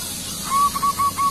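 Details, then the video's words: Brief burst of song from a young local zebra dove: one short run of soft, level cooing notes against a hissy background. "perkutut lokal gacor masih muda sudah gacor"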